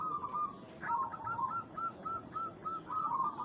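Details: A local zebra dove (perkutut) calls to provoke a rival: a string of soft, mellow cooing notes, about two per second, over a steady background hiss.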